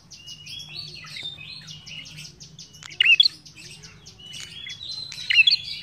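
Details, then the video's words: Lively ashy tailorbird singing. Two loud clusters of sharp, ringing chirps come near 3 and 5.5 seconds, set against continuous rapid high twittering and a faint low hum. "Suara prenjak kepala merah gacor"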